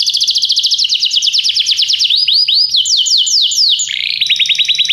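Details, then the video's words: Canary singing as training material to make a pet canary sing more: rapid high rolling trills shift into looping downward-sweeping whistles, then a lower buzzy roll and a fast closing trill, nonstop and loud without background noise. "treinamento canário - seu canário cantará muito se ouvir isso"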